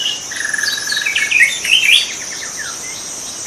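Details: White-rumped shama in the wild delivering a fast, rich run of whistled notes that climb and tumble, ending in a brief rising trill, with a constant shrill insect hum behind it.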